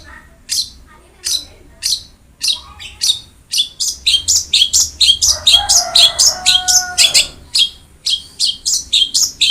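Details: Long-tailed shrike training song for a cendet that sings little: high, sharp chirps that speed up into a fast stuttering run, with a soft lower tonal hum under the middle.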